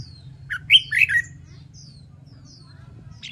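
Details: Red-whiskered bulbul practising contest song: one short, loud, tumbling warbled phrase, then faint distant high chirps and a low steady hum.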